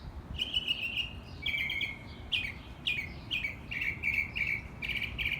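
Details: Wild bird singing in Texas: a run of repeated slurred whistled notes, each dropping slightly in pitch, delivered roughly twice a second over steady background hiss.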